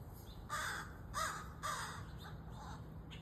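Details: A young crow chick gives three loud, grating caws about half a second apart, followed by several fainter, rougher calls that trail off.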